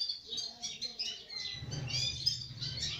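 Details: Sparrows chatter in quick, overlapping high chirps, bright and busy, over a steady low hum that grows louder in the second half.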